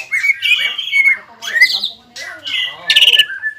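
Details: Excited greater green leafbird, gacor singing in ngobra and jamtrok style: rich rolling whistled phrases in short bursts, separated by brief gaps, ending with a buzzy trill and a clear note.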